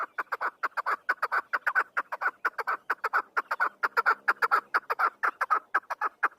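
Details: Chukar partridge of the Afghan type giving a loud, sustained series of clipped chucking notes at a brisk, fairly even pace, about two per second, with no other sounds.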